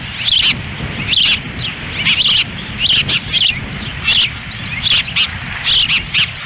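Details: Nesting ospreys in Lolo, Montana, 10 June 2017, a windy-day feeding as the female feeds and the male waits nearby; clusters of high, piercing chirps and squeals in uneven bursts about once a second, wind in the background.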